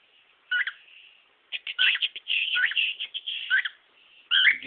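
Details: Pet male cockatiel in a home performing bits of his vocal repertoire: a soft sustained whistle followed by bursts of bright chirps and slurred warbles, with short pauses between phrases.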